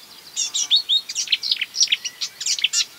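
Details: Marsh warbler (Acrocephalus palustris) imitating other birds, delivering a dense, fast jumble of high twittering notes, chips and short whistles with hardly any pause.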